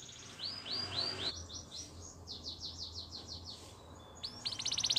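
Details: Belgian canary training song, fainter over a steady background hiss: curving down-slurred whistles, then a quick chopped trill of repeated notes, closing with a bright, high, ringing trill.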